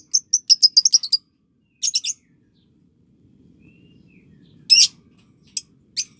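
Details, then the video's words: Lovebird tutor recording aimed at getting young birds to ngekek. A quick run of bright high chirps opens the clip, followed by a short buzzy cluster, a pause with low background rumble, a loud harsh burst, and two final chirps. "Love Bird Paud & Balibu Dijamin Latah Ngekek"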